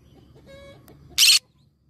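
A green-cheeked conure gives one short, harsh, raspy screech, preceded by a faint tonal note against quiet indoor background.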